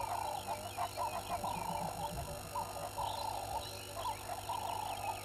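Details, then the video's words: Hadeda ibis calling at Gowrie dam waterhole, Djuma Game Reserve, Sabi Sand Wildtuin, South Africa, at 05:17 on 11/01/21, picked up by a live waterhole camera. Harsh, nasal bursts come again and again in uneven runs, over a steady low hum. "Hadeda Ibis"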